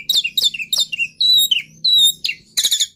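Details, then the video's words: Black-winged myna giving a series of falling whistled notes, two longer level whistles and a final harsh burst. "Suara Burung Jalak Putih Istimewa"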